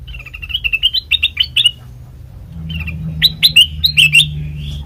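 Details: Black-crested bulbul song for luring birds into traps: a quieter string of quick, slightly rising chirps, a pause, then a brighter chattering burst, with a steady low hum underneath.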